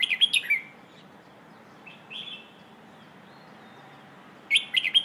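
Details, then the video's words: Red-whiskered bulbul singing the Thai "phleng ho" song style, used to teach young birds to sing. Two bright, warbled whistled phrases open and close the clip, with a faint softer phrase between them over a quiet low hum. "เพลงโห่ เสียงฝึกร้องนกกรงหัวจุก"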